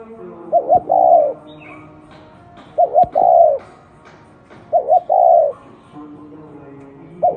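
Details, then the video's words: Spotted dove repeating an unusual coo phrase three times, roughly every two seconds: a quick wavering pair of notes then a long falling low coo, over faint music. "Top 10 tiếng chim cu gáy gù độc lạ mới hay nhất 2020"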